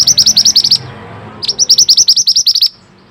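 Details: Pied bushchat, called mantenan, singing on a training recording: two loud, fast runs of sharp high chirps, the second longer, about a second each, with a faint low rumble behind.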